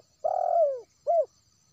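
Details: Wild spotted dove calling, used as a lure for bird trapping in West Sumatra: one long, mellow, slightly wavering coo that slides downward, then a short rounded second coo after a brief pause, in quiet surroundings.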